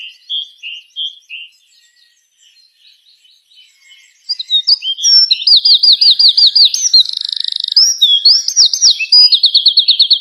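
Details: Small bird perched on a dry branch at sunrise among trees, calling: soft short chirps at first, then from four seconds a loud rapid run of sharp high trills and chirps repeated almost continuously, with fainter chirps from other birds behind.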